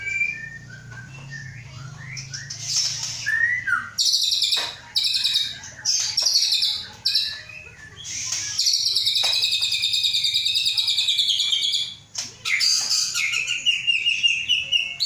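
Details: Caged male-line white-rumped shama from Aceh, Indonesia, being prepared for a breeding cage, hatched 23 August 2012. It sings a loud, varied song of buzzy high trills and rattles with short whistled phrases, broken by brief pauses. A low hum runs underneath.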